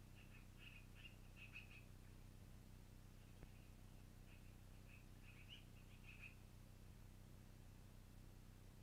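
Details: Squeaky, high short notes from a long-eared owl nest, 12-04-2018 near 21:00, repeated in irregular bursts of several calls, with one sharp click midway and a persistent low hum.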